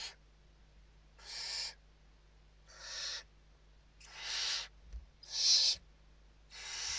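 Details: Western barn owls at an indoor nest in Spain, evening feeding, 29 November 2023; six rasping hiss-screeches spaced roughly a second apart, steady low electrical hum underneath.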